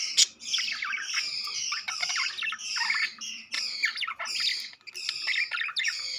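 Budgerigars chatter in fast, scratchy warbles and squawks, with high chirps tumbling over one another.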